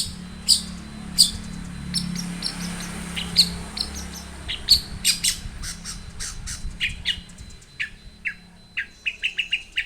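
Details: Long-tailed shrike singing variably, as a lure for other shrikes: spaced sharp high chips, then closer clicking notes and a closing series of short rising whistles, over a low background hum.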